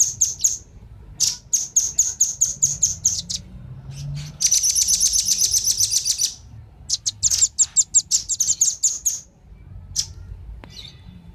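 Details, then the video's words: Male and female velvet-fronted nuthatch calling together, used as a lure for wild birds: runs of sharp, very high chips, a dense rapid rattling trill midway, then more quick chip series over a faint low hum. "suara pikat burung rambatan jantan dan betina"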